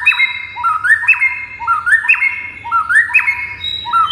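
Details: Energetic white-rumped shama song meant to draw angry replies from other shamas: a rhythmic run of rising, slurred whistled phrases, each ending in a bright high note, repeated about once a second.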